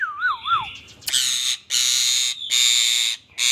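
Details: ['Indian ringneck parakeet producing a short wavy whistle, then three long harsh, raspy screeches, each about half a second to a second long, separated by brief pauses.']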